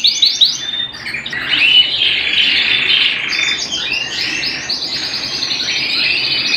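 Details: Canary singing indoors at home, a dense, warbling run of high rolling trills and buzzy phrases that swell and fade without pause.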